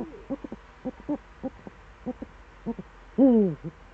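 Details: Eurasian eagle-owl recorded in the Eifel on an early morning in late September 2013: a run of brief soft clicking pulses, then one strong, harmonic, wavy hoot dipping slightly in pitch near the end.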